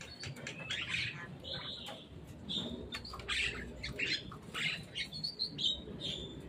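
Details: Javan myna arriving atop a cage, calling in a jumble of squeaky, scratchy chirps and short harsh bursts, set against a noisy background.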